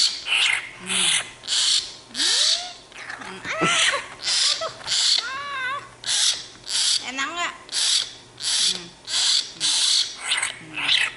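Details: Cranky young common hill myna kept tame, demanding bread, repeats coarse hissing rasps in a steady series, interrupted by short rising and wavering whistled notes and faint human voices in between.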